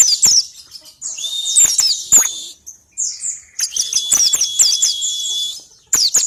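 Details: Pleci (white-eye), ngalas type, song used as a lure to prompt other birds to sing: bursts of high, rapid twittering notes over a long, steady, thin whistled tone, with short pauses between phrases.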